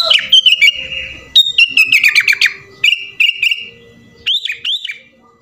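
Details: Sooty-headed bulbul in energetic 'full isian' song: slurred descending whistles, a quick run of sharp chattering notes, a steady whistled phrase, then two looping upswept whistles before fading out.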